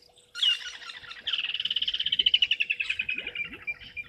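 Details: Martial eagle juvenile in a tree across the dam at Gowrie dam, Djuma Game Reserve, Sabi Sand, South Africa, afternoon of 2 May 2023; a loud opening note, then a long fast train of bright pulsed whistles easing downward in pitch.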